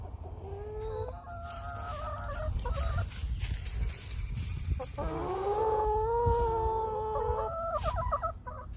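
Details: Noisy chickens: drawn-out nasal tonal calls, some rising and wavering, from several birds over a constant low rumbling background.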